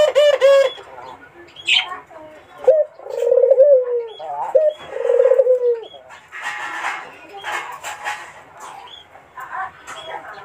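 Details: Barbary dove cooing to lure a rival with a melodious voice: low rolling, quavering coos, some rising at the end, mixed with sharp clicks, rustling and a burst of broadband noise in the second half.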